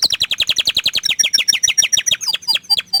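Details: Orange frost canary singing a quick series of downward-slurred chipping notes, about six per second, loud and clear, the phrase loosening into scattered high chirps near the end.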